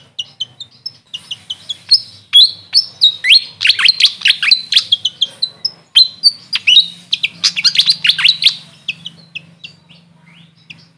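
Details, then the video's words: Grey fantail, known locally as Maria Capra: rapid bursts of high, squeaky chirps and short sliding whistles, densely packed in two long runs with a brief pause between, over a faint low hum. "Grey Fantail bird call||huni ng Maria Capra kung sa amin tawagin"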